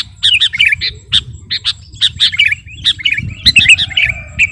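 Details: Sooty-headed bulbul, kutilang garuda variety, in full vigorous song for bird-luring use: choppy bursts of chirpy, slurred notes in quick clusters, over a low background hum and a faint constant high tone.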